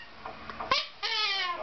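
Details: Pet cockatoo imitating a person calling a cat: a sharp click, then a drawn-out, nasal, slightly falling meow-like voice sound lasting about half a second, indoors.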